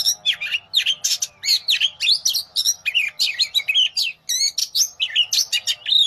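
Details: Oriental magpie-robin (kacer) in continuous, rich song: a dense stream of varied whistles, trills and sharp chirps delivered in quick phrases of roughly half a second, with almost no pauses.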